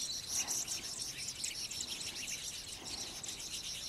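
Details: A pair and flocks of citron-headed yellow finches in Yavi, Jujuy, Argentina, filmed in May 2015 during courtship and feeding; bright, high twittering from many birds, with rapid overlapping notes throughout.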